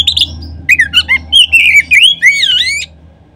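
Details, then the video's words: Lure song of an Oriental magpie-robin, meant to set other kacer singing. A sharp high note opens a string of clear, bending whistles and chattering notes, then quiet; a low background hum throughout. "Kacer manapun seketika terangsang berbunyi dengan pancingan ini."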